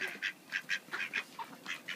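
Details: Hungry ducks fighting during heavy snow: short nasal quacks repeat about every quarter second, fairly steady, with one lower, softer note near the end.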